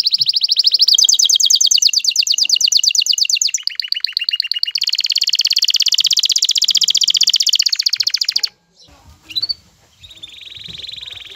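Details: Aroused male canary courting a female toward mating: long, loud, very fast high trills shifting pitch in steps for about eight seconds, then a short pause and a softer buzzy phrase.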